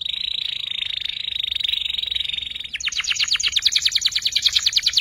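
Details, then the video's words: Young canary learning ngeriwik song: a steady, even buzzy trill held for nearly three seconds, then a louder, faster rattling roll of crisp high notes. "PANCINGAN KENARI PAUD BELAJAR NGERIWIK"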